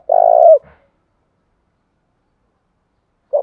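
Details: Spotted dove calling to lure in and provoke wild doves: one long, low, throbbing coo that falls slightly at the end, then silence until another phrase begins.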